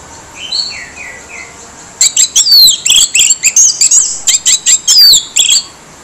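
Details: Harsh-voiced orange-headed thrush song played as a lure to get quiet birds singing: faint descending whistles at first, then a loud, rapid series of sharp, high, scratchy notes and twisting slurs lasting several seconds.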